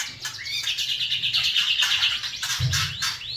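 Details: Murai Batu, the white-rumped shama, giving a noisy kretekan song: busy, rattling bursts of high chattering notes and a rapid trill, with brief upward-sweeping whistles near the end.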